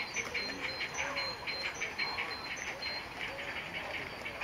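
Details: Second-calendar-year Black-crowned Night Heron, very little worn and with an adult, 13 April 2014, gives harsh, croaking notes repeated roughly once a second, over a steady thin high whine and background hiss.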